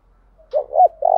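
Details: Decoy spotted dove calling to draw replies from wild birds: a brief low swooping hoot, a second bending note, then the start of a long vibrating coo.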